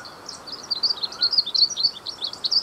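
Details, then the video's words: Glaucous-blue grosbeak (azulinho) singing: a fast, continuous warble of bright, high twittering notes that rise and fall without pause, over a faint steady background hiss. "Canto do Azulinho"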